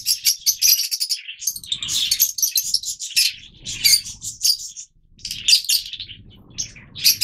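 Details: Yellow Fischer's lovebirds, the oldest mutation of the species, kept as captive birds; shrill high chirps and squeaky chatter from several birds in bursts, with faint low rumbling in between.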